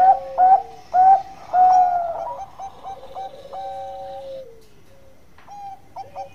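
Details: Bangkok-type zebra dove singing a long song: clear whistled coos near one pitch, several loud bursts then a long drawn-out gliding note, followed by short repeated coos.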